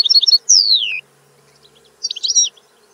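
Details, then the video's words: European goldfinch giving a few quick twitters, a clear falling whistled slide, then a short burst of tinkling notes after a pause. "Canto del Cardellino - Song of the goldfinch"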